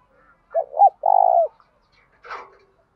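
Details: Spotted dove lure bird calling to draw in wild doves: a short two-part low coo followed by a longer, steady, slightly vibrating hooted note, then a brief rustling noise.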